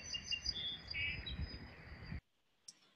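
Song Sparrow song fragment: high, clear notes and a brief lower whistle, over a low rumble. It breaks off after about two seconds into near silence.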